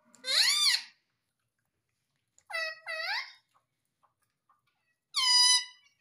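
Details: Caged pet Indian ringneck parakeet indoors saying "mummy": three bursts of harmonic-rich parrot voice, one loud arching syllable, a paired two-syllable phrase, then a final steady squawk.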